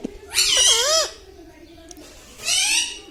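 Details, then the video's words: Pet parrot at home, said to say mithu, mummy and papa: one loud, raspy, speech-like phrase with bending pitch, then a quiet gap and a second, shorter harsh syllable. "Parrot talking mithu mithu || mai bolunga || मम्मी पापा बोलता तोता"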